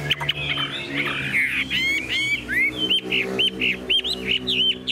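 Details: Caged, tame Chinese hwamei giving a mix of harsh scratchy notes and a run of loud rising whistled phrases, repeated rapidly, over a steady low hum.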